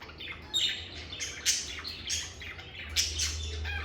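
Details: Lovebird chirps in a quiet, stress-free setting: a handful of sharp, high, squeaky notes spaced irregularly about half a second apart, with a low background hum.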